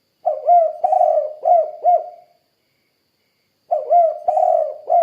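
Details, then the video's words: Soft, hollow cooing of a spotted dove in two bursts of four notes. Each note lifts and drops gently, with a pause of over a second between bursts. Quiet background. "Suara Burung Tekukur Kuk 2 Gacor"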